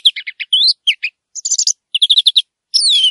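A European greenfinch sings a quick run of high chirps, buzzy twitters and rapid trills, ending in a long, drawn-out descending wheeze.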